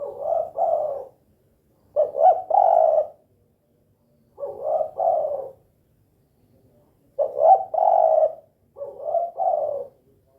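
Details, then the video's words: Spotted dove, known as tekukur or derkuku, in its 'kuk 2' pattern: five paired coo phrases spaced about two to three seconds apart, each a short note then a longer hollow roll. "SUARA BURUNG TEKUKUR KUK 2 GACOR"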